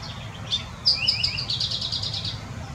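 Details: Eastern towhee in Southeast Wisconsin gives its song: a short high note, then two quick sliding notes leading into a rapid ringing trill of over a second, over a soft low hum.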